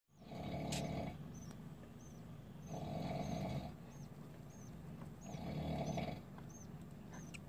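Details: Freshly hatched budgerigar chicks calling in hoarse, buzzy pulses, three long bursts spaced about two and a half seconds apart, with soft high squeaks repeating between them.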